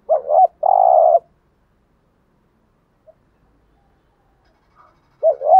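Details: Spotted dove in gù thúc coo style, used to set wild doves cooing: two quick wavering notes, then a long even low coo, with the wavering pair starting again after a pause of about four seconds.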